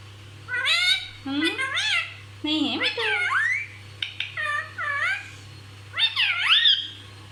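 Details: Parrot known for non-stop talking, imitating everything: separate mimicked phrases with sliding, wavy voice-like pitch, some high and squeaky, spaced by brief silences, with a steady background hum.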